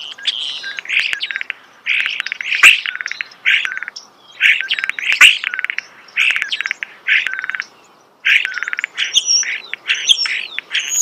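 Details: Starling close by in nature delivering repeated rattling bursts of fast clicks and buzzy chatter, each lasting about a second with short breaks, later mixed with squeaky whistled notes.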